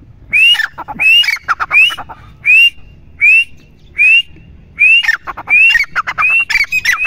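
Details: Calling grey francolin (teetar): clear upslurred whistles repeated at a steady pace about every three-quarters of a second, each trailed by scratchy clucks, growing denser and overlapping toward the end.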